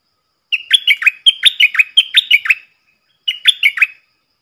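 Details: Decoy stripe-throated bulbul in double-style song, used to train young birds and lure wild ones. A long chain of quick, rippling warbled notes in three grouped bursts, then a shorter phrase after a pause, all clean and loud.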